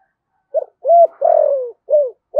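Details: Close, loud phrase from a decoy spotted dove with a 'giọng thổ' voice: a brief low note, a full rounded coo, a long wavering coo that slides downward, then a shorter coo, and another starting.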